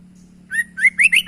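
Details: Sooty-headed bulbul giving unusual sounds: after a short silence, a run of loud, clear whistled notes, each sliding upward and rising in pitch, repeated quickly in a quickening series, over a steady low hum.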